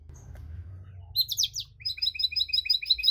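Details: A canary's cengkok song aimed at provoking other canaries: after quiet background hum, a quick burst of high slurred notes leads into an even, chattering trill of short, pulsed high notes.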